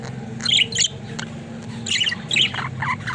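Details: Pet budgerigars giving short, bright chirps and squawks in two bursts, near 0.5 and 2 seconds, over a low steady hum.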